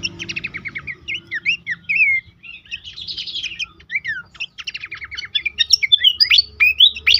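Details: Horsfield's babbler song used as a training prompt for caged birds: continuous rapid chatter of repeated notes and short whistles, growing busier and louder toward the end.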